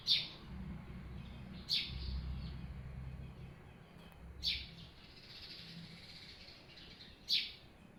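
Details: Birds at their hut giving sparse, sharp, high chirps, single notes spaced a couple of seconds apart over a soft low rumble.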